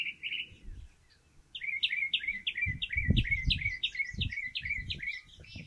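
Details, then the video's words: Northern mockingbird singing from its favourite stove-pipe perch: two quick notes, a pause, then a rapid series of paired slurred notes, with low thumping noises underneath. "Northern Mockingbird singing and preening"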